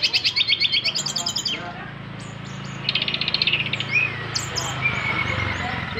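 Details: Nyengklak-style song of a brown-chested jungle flycatcher: fast stuttering bursts of buzzy stacked notes repeated several times a second, then thin rising whistles and scattered chips against a low drone.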